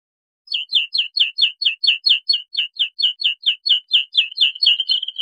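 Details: Song of a Bluethroat: a steady, rapid series of nearly identical downslurred notes, roughly three per second, ending in a blurred trill; nothing else audible.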